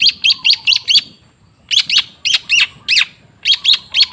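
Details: Long-tailed shrike (cendet) song for prompting a silent bird. Groups of four or five harsh, explosive chip notes come in quick series, separated by brief gaps.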